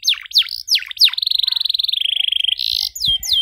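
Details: Canary song, long-running with fancy variations, used for teaching young canaries to sing: high descending whistled sweeps, then a long rapid rattling trill holding steady before dropping slightly, ending in more quick downward sweeps.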